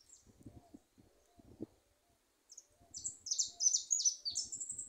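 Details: Goldfinches singing free in a small wooded thicket; after quiet murmurs and low thumps, a fast run of high, scratchy, twittering phrases begins halfway and carries on steadily to the end.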